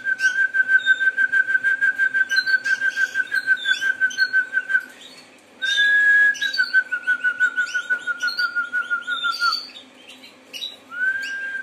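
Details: Harz Roller canary delivering long rolling tours: a rapid, evenly pulsed low roll for nearly five seconds, a brief pause, then a smooth roll turning pulsed again, with scattered high twitters from other caged canaries.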